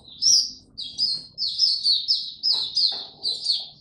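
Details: Oriental white-eye, recorded 25 January 2022 after sleeping late, singing 'tiong aw': loud, clear, high whistled notes delivered in quick, evenly spaced bursts of roughly three per second.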